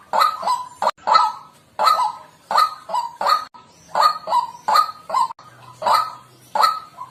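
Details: Wild white-breasted waterhen calling, a recording used for bird luring: harsh, honking croaks repeated about every 0.7 seconds, several followed by a softer, lower trailing note.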